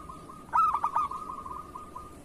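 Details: Local zebra dove of the kerot singing style, used as a tutor to coax lazy or moulting doves to sing. A single burst of clipped, stuttering coos trails into a long, soft, even purring note.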